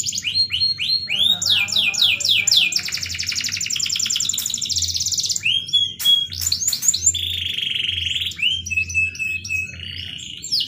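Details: Canary singing hard in the melodious cengkok style, opening with rapid repeated upward-sweeping chirps, then a long dense rattling roll, sharp clicks, and a sustained whistled note, with a faint low hum behind.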